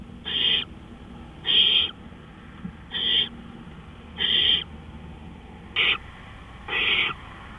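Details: Nighttime owl calls recorded at 3:15 AM on April 20, 2013: six hoarse, hissing shrieks spaced about a second or more apart, the fifth one shorter and sharper.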